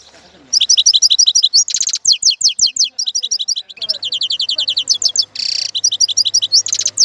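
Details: A goldfinch pours out bright, rapid repeated chirps in runs, interspersed with sweeping slurred notes and a short harsh buzz, over a faint low hum.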